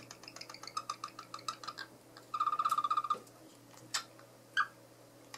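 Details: Indoor male cockatiel wooing his favourite toy: a rapid run of repeated, clipped notes, about four a second, speeding into a tight trill, then a couple of sharp chirps. A faint low hum sits underneath.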